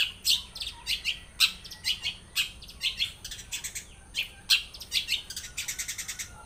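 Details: Long-tailed shrike from Blora, Indonesia, singing a song full of mimicked phrases; rapid sharp chirps and high harsh notes in quick irregular bursts, some phrases run together, with a faint low hum beneath.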